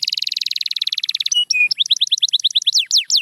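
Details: Canary singing to encourage quiet birds, opening with a fast even trill of short notes, then steady whistled tones and a string of rising and falling chirps.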